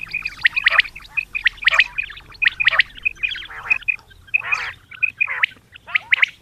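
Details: A female common quail calling in the morning gives short, clear mid-pitched notes about once a second, mixed with harsh, rasping squawks in uneven bursts.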